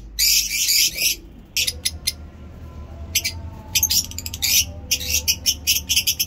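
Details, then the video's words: Pleasant-weather chirping from lovebirds in Peshawar: a loud raspy burst of about a second, then irregular sharp chirps and chattering runs, over a low steady hum. "Lovebird Chirping in awesome weather today in Peshawar"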